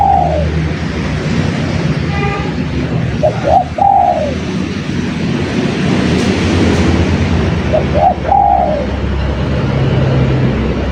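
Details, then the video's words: Spotted dove calling persistently for luring other doves: a brief coo opens, then two separate stuttering coo-croo-crooo phrases several seconds apart, against a constant low rumble and hiss. "Suara Burung Derkukur Gacor"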